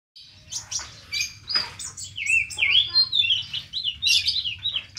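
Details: Van Hasselt's sunbird, locally ninja sunbird, singing actively in a lavish song full of inserted phrases: dense high chirps, trills and short whistled slurs packed over five seconds, with a faint low hum underneath.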